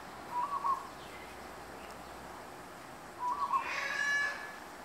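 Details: Magpie geese, which move into Darwin in their thousands at the end of the dry season. Two short, mid-pitched honking calls about three seconds apart. The second is followed by a brighter, harmonic-rich call over a steady background hiss.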